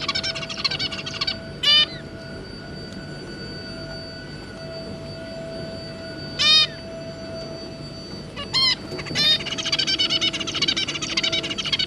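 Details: Captive zebra finch family of two adults and three juveniles: loud nasal honking calls spaced several seconds apart, with a buzzy chattering song at start and end.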